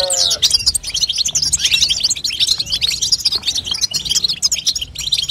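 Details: Batbata call of a female European goldfinch, used to make a young goldfinch sing. It opens with a brief lower, nasal tone, then runs into steady, quick, high-pitched tinkling twitters that barely pause.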